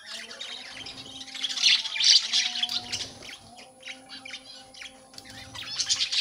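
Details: Breeding budgerigar colony with baby birds out: continuous scratchy squawks and chirps from several birds, rising and falling in loudness, with a low steady hum behind.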